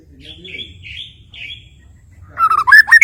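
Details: White-rumped shama from Kalimantan: faint high notes at first, then a loud burst of rich, slurred whistled phrases near the end.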